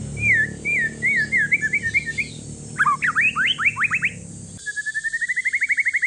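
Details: Male white-rumped shama of Aceh forest stock, aged one year, used to spark singing in quiet shamas: wavering whistled phrases, then a burst of steep rising notes, then a brisk even rising trill.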